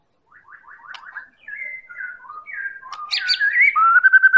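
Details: Lure song from a Medan-type White-rumped shama to draw other birds into singing: soft chattering notes build into sliding whistles, ending in a loud, rapid run of repeated whistled notes.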